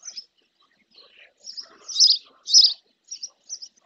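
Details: Fixed-camera recording of a female spotless starling bathing in a lagoon close to its nest, Doñana National Park marshland, El Rocío, Spain: scattered thin chirps that build into two louder, harsh, squeaky notes, then softer trailing chirps.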